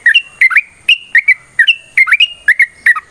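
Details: Sooty-headed bulbul giving a long, rapid fighting song, used as a lure to prompt other bulbuls to sing: short bubbly whistled notes, often in quick pairs, rising and falling around a mid-high pitch, roughly two or three per second.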